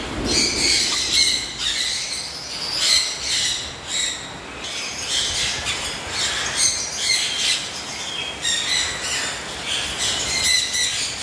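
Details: Caique parrot in a cage producing a long run of harsh, high squawks repeated irregularly every second or so, other chirps mixed in, steady hiss behind.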